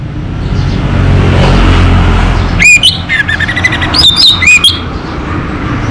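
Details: Local-type orange-headed thrush in full, vigorous song, used to coax birds that have stopped singing: a quick run of bright whistled sweeps and trills in two short bursts, over a steady low rumbling background noise.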